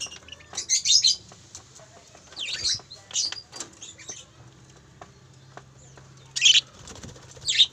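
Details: Two captive breeding pairs of parakeets at a bird farm: scratchy, buzzy squawks in short bursts, a cluster early, scattered single notes mid-way, and loud outbursts near the end.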